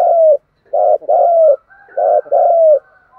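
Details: Spotted dove giving a pushing coo in a field-type voice: hollow, mellow coos, each held or slightly falling. They come in grouped phrases with short gaps between notes and a longer pause between groups. There is a faint higher tone behind them.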